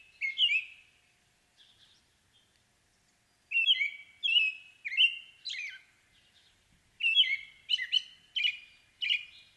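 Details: American robin singing: clear whistled caroling phrases of two to four slurred notes, rising and falling, delivered in bursts with short pauses, in a quiet setting with no other sounds.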